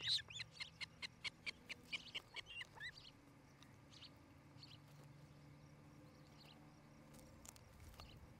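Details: Nesting osprey pair in Charlo, Montana, picked up by a nest camera in the evening of 8 July 2018: a quick run of about a dozen sharp high chirps, then faint scattered notes against a low hum.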